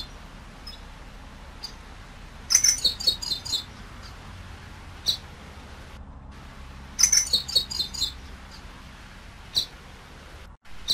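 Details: Common waxbill song, a species kept in captivity: two bursts of high, short chirps and buzzy notes near 4–6k at about 2.5 and 7 seconds, with scattered single high ticks between them over a low steady hum.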